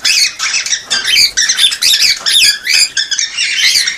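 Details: Cockatiels calling to encourage pairing and breeding: a thick, high, harsh chatter of rapid irregular squawks, over two a second, with no pauses throughout.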